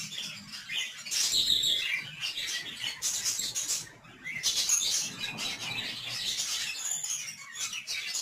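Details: Budgerigars (parkit), 11 December 2022, chattering in rapid high chirps and scratchy warbles, rising in busy bursts around one and four-and-a-half seconds, with a brief quiet gap near four seconds.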